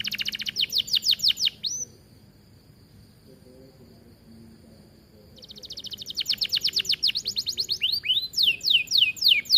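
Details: Captive canary (kenari) bursts into fast repeated sweeping chirps, pauses for several seconds of near quiet with a thin steady tone, then resumes with rapid rhythmic trilled notes and high swooping whistles.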